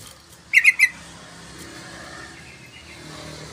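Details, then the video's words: Yellow-vented bulbul, as a lure and tutor recording: three quick bright chirped notes in a tight cluster, then a steady murmur of background noise like passing traffic. "Pancingan Trucukan panjang❗Masteran Trucukan Gacor"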